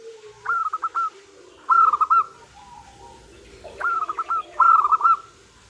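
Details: Female local zebra dove calling the male, played as a lure: short bursts of four to five rapid hooked coo notes, repeated in pairs of phrases with quiet gaps between.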